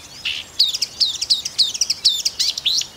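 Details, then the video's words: Rapid, varied chatter from a marsh warbler in Russia: a buzzy opening note followed by a tumbling stream of sharp, high twittering and slurred notes with no pauses, over a quiet background. "Болотная камышевка (Marsh Warbler)"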